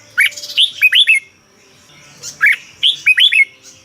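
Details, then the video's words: Caged Red-whiskered bulbul from Thailand whose song is played to stir other birds; two bubbly phrases of sharp, rising-then-falling whistles, each of four to six notes, separated by a brief quiet pause. "เสียงนกกรงหัวจุก สำหรับต่อ หรือ เปิดให้นกคึก เสียงเพราะๆ"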